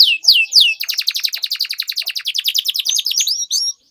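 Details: Canary in full song, used as a lure for training young canaries to learn sounds: a pair of falling whistles, then a long, fast run of sharp repeated chirps, ending in rising whistled notes.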